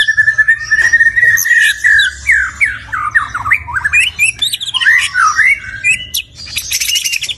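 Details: Stone magpie singing a long, rich, varied song of loud whistled notes, slurred up-and-down phrases and quick chattering bursts with brief pauses, over a faint low hum.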